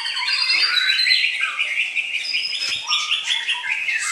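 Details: A white-rumped shama pours out bright, clear whistled phrases in quick succession, steady and high, with short descending notes and a brief sharp click partway through.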